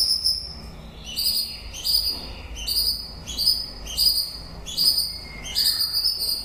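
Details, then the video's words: Late-breeding-season white-rumped shama delivering a rhythmic series of shrill, high, stacked notes, each phrase about two-thirds of a second apart, opened by a longer whistle and closed by a brief lower slur. "Chòe lửa bông hót cuối mùa sinh sản"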